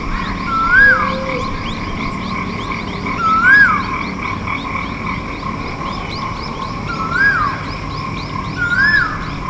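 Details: Asian koel calling: a clear slurred whistle that rises and then drops, repeated about every three seconds. Steady droning tones run underneath, with faint chatter from other small birds higher up.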